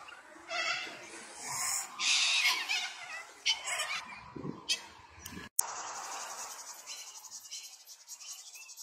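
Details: White cockatoos (Cacatua alba) wrestling and fighting give harsh, raspy screeches and scratchy squawks in uneven bursts, with a brief break midway and a hissy background.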